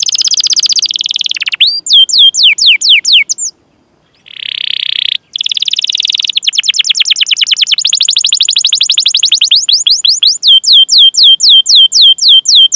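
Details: Canary song in the long rolling 'cuit cuit' style, played to train young or silent canaries to sing: fast runs of rising chirps repeated about four per second, broken by a brief pause and a buzzy burst before the rolling chirps resume.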